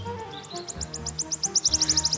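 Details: Wood warbler (Phylloscopus sibilatrix) song played as a lure recording to catch and ring an unringed adult male in Dartmoor woodland in breeding season: high thin ticking notes accelerating into a shivering trill, faint hum.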